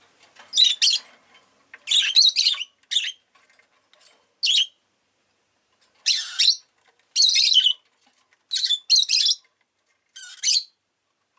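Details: Rosy-faced lovebird kept as a pet, giving repeated bursts of harsh, scratchy high chirps and squawks, some doubled or tripled, about nine bursts spread over the recording with short silent gaps.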